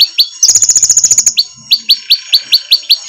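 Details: A konin sunbird, lean but with a fierce song, sings very high and thin: sharp downslurred notes, a fast buzzy trill, then a quick run of bright chips about five per second.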